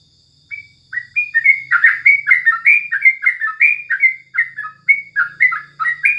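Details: Sooty-headed bulbul morning song for tutoring: a long, energetic stream of liquid, chattering whistles rising and falling, roughly two to three notes per second, with a faint low hum and high whine.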